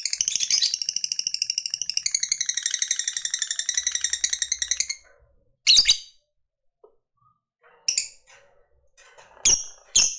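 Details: Fighter lovebird chattering in the ngekek panjang manner to provoke rivals: about five seconds of fast shrill pulsed chatter, then silence broken by a few isolated harsh squeaky calls.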